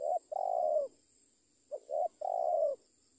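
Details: Spotted dove calling with soft low coos, a short note then a long purring one, repeated after a pause as a three-part phrase, steady high whine behind.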